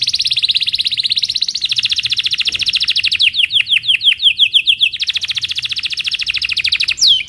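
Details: Belgian canary singing in the morning to teach young canaries: long fast rolling trill of bright repeated notes, slowing into a series of descending sweeps, then resuming a rapid trill, ending in a sharp sweep.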